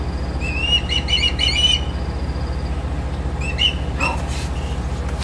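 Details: Wild osprey calling from a treetop near a deck in Lakeport, California, late afternoon on 24 August 2011, before taking off: a quick run of shrill chirps, a pause, then a brief second chirp burst, with low background hum.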